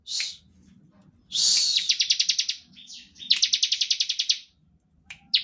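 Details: Ciblek (bar-winged prinia) in lively song of the ngebren type, meant to provoke other prinias: short sharp chips and slurred notes lead into two bursts of rapid, buzzy, ticking high pulses, ending with a clipped note.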